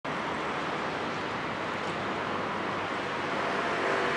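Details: Steady, loud broadband roar like traffic or wind fills the whole recording, with no clear animal calls.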